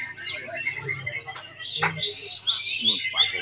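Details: Greater green leafbird singing in a bird singing competition where it took first places. Dense, rapid, high twittering and chattering phrases run almost without pause, with brief sharp notes and faint voices of people in the background.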